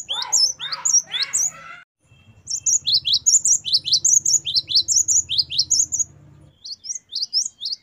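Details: Great tit song in the 'wucit variasi' style, played to train caged birds: opens with two harsh rasping churrs, then quick high two-note phrases repeating at a steady clip over a faint low hum.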